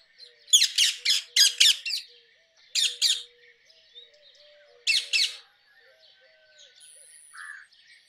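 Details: Rose-ringed parakeet bursting into five fast, grating screeches, then pausing between shorter pairs of calls before softer chirps trail off.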